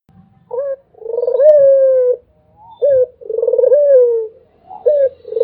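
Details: Repeated coo of a Barbary dove, called puter: a short hooked note, then a vibrating trill merging into a long steady tone that sags at the end, cycling roughly every two seconds against a quiet background.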